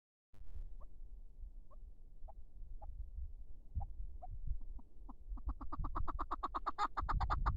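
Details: Chukar partridge calling: harmonic clucking notes spaced roughly half a second apart, then speeding into a loud, rapid chuckling series over the last two seconds, against low rumbling background noise.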